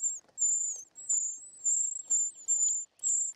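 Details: Begging short-toed treecreeper chicks during nest feeding: repeated very high, hissy whistles of around half a second, roughly twice a second, with soft rustling knocks underneath.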